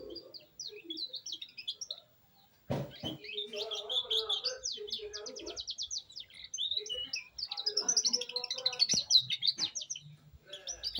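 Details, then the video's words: Young loper canary beginning to sing in rolls: high, fast chirps and twittering trills in bursts, with lower warbled notes underneath and a brief break partway through. "knari loper paud mulai ngrol"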